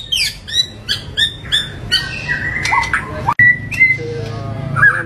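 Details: Varied, harsh song of a white-rumped shama: a fast run of sharp, repeated high chirps, then drawn-out whistles and mixed notes over a steady low hum.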